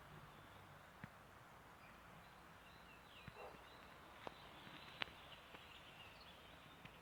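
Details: A great spotted woodpecker (Dendrocopos major) in Serbia gives a few sharp, isolated 'kik' notes at irregular intervals over a quiet, steady hiss of background noise.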